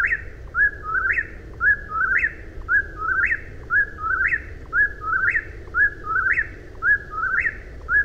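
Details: Whip-poor-will song: clear whistled phrases, each starting low, dipping, then snapping upward at the end, given in rapid regular succession almost once a second above a faint low hum.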